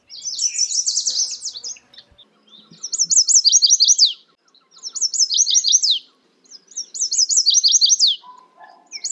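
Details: Chestnut-sided warbler repeating its song four times, about every two seconds. Each phrase is a quick series of high, bright slurred notes finishing with an emphatic drop. Faint low ticking sounds lie underneath.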